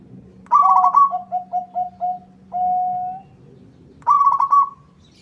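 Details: Local zebra dove in full voice, its song drawing a rival to respond; a stuttered high coo sliding into six even lower beats and a long held note, then a fresh stuttered phrase begins.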